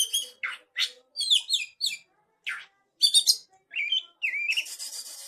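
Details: Young wild forest oriental magpie-robin (kacer) with cililin fill phrases. It gives separate harsh, scratchy bursts and chattering notes with pauses, then short whistled slurs, ending in a buzzy, noisy rasp.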